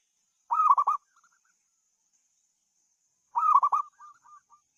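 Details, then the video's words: Zebra dove delivering lar tuku trek coos, two rolling, stammered phrases roughly three seconds apart, the second ending in a few quieter trailing trills; otherwise quiet. "kemerduan suara burung perkutut, lar tuku trek"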